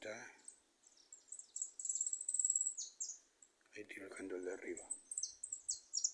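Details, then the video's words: Goldfinches singing loose in a small patch of woodland, a bright twittering run of high, quick notes, interrupted midway by a man speaking, after which the high chattering resumes. "jilgueros cantando sueltos en un montecito"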